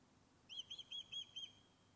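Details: Osprey back on its nest at the Loch of Lowes webcam in Scotland, fish-calling: a short series of five clear, high whistled chirps about a fifth of a second apart, faint against a quiet background.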